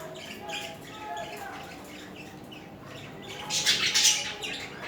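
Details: Budgerigars during mating and courtship display, a pair together; soft scratchy chirps and warbles through most of the clip, building to a louder burst of harsh squawky chatter near the end.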